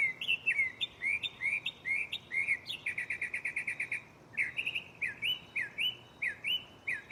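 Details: A mockingbird singing at night from a tree right next to the recorder, shuffling through its catalog of phrases: a run of bright upslurred chirps, about three a second, then a fast stutter of short clipped notes, then a new series of rising, whistled syllables.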